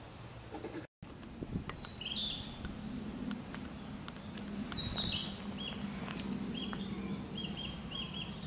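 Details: Male Narcissus flycatcher singing in Tokyo at 7:30 on a May morning, 6 May 2013. Its song is heard as "Topo Gigio, kuru-kuru-kuru". Short high whistled phrases come in bursts, with a steady low rumble throughout and a brief dropout near the start.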